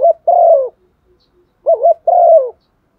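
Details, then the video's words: Spotted dove serving as a decoy bird to make others call: two close phrases of low cooing, each a short quavering double note and then a sustained, gently dropping coo. "Chim cu gáy đất thúc gù bài bản/ chim cu mồi giọng bài bản kích là gáy"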